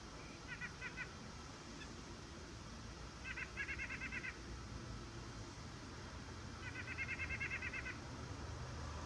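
White-breasted Nuthatch gives three quick bursts of rapid, nasal, evenly pitched notes, each run lasting about a second, over a steady low rumble of wind or distant traffic.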